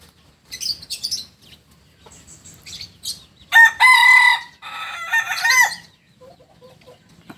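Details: Rooster of the kukuak balenggek breed from Solok, West Sumatra: brief chirps and rustling, then a two-second harmonic crow in several segmented syllables, followed by faint soft notes.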